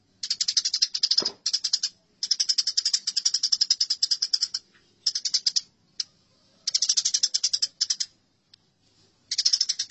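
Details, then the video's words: House sparrows fighting give loud, fast chattering runs of high scratchy notes, some lasting over two seconds. A short low thump is heard early, and there are a few pauses. "Masteran Gereja Tarung"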